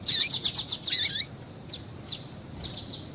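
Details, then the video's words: Female double-collared seedeater calling to excite males: a rapid run of sharp, high chirps with short falling notes for about a second, then a few faint scattered chirps over quiet background hiss. "Piado de Fêmea de Coleiro para Esquentar Coleiro"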